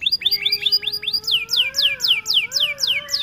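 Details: Male canary singing for song training: quick series of rising chirps followed by repeated descending sweeps at roughly four per second, with faint steady low tones underneath.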